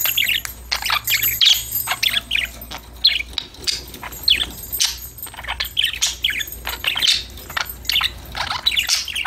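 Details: Several caged budgies chatter and sing to each other, a busy stream of quick buzzy chirps and warbles rising and falling without pause over a faint low hum.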